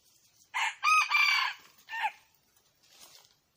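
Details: Red junglefowl crowing: a brief harsh opening note, a long strained two-part middle phrase and a short falling final note, followed by a faint distant answering crow.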